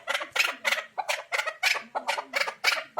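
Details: Chukar partridge calling: harsh, throaty chuckling notes repeated steadily about three times a second, each a broad rasping burst.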